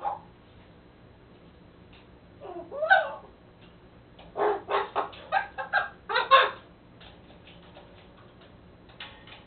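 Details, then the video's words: Captive-bred male raven, a White-necked and Common Raven hybrid, playing with toys at the bottom of his enclosure: a scattered run of clipped, knocking and croaking notes, some clustered in quick bursts, with quiet gaps between. "Raven Babble"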